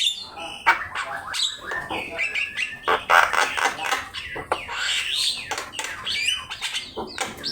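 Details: Active Javan myna song recorded as training material for other birds: dense harsh squawks and grating notes woven with rising and falling whistles.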